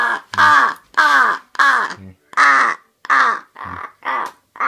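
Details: Rapid series of raspy caws from a crow calling for food, about eight calls in under five seconds, slightly weakening toward the end, with soft low thumps between them.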